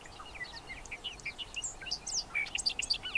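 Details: Bobolink pouring out a rapid, jumbled, bubbling song of tinkling notes that jump up and down in pitch, growing louder and more complex toward the end, with light outdoor hiss behind.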